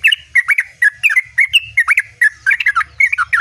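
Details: Yellow-vented bulbul in a non-stop rolling song: a dense stream of liquid, slurred whistles and chirps, each quickly rising or falling, delivered without pause.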